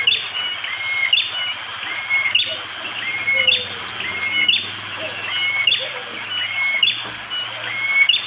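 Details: Sharp 'tembakan' song of a bar-winged prinia in forest at Wonocoyo Village, East Java, Indonesia, on a rainy morning. A whistled rising note and a sharp high click repeat about every 1.1 seconds, under steady high hiss and a faint low hum.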